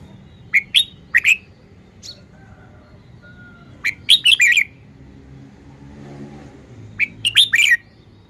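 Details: Song of a caged red-whiskered bulbul performing its song style, loose clusters of sharp whistled notes and warbled phrases at irregular intervals, with faint other chirps and a low rumbling background.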